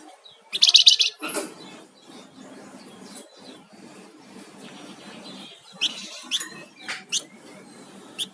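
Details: Energetic flamboyan songbird song opening with a loud dense buzzy burst, followed by scattered high sharp chips and quick notes against a faint low background hiss.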